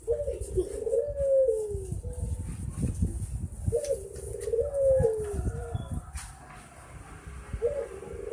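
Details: Puter dove repeating a low, wavering coo phrase about every three seconds, three phrases in all, over steady low background rumble and clatter.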